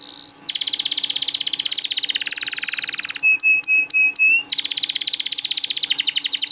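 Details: Canary song used as a lure for stalled canaries: a long fast buzzy trill, a run of five clipped pure notes about three per second, then another rapid rolling trill.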